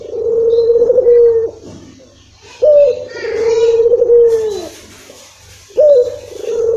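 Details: Lure recording of a Barbary dove, locally puter, meant to set a reluctant caller cooing: three drawn-out, level, low coos, each sliding down at its close, with soft voices faintly behind.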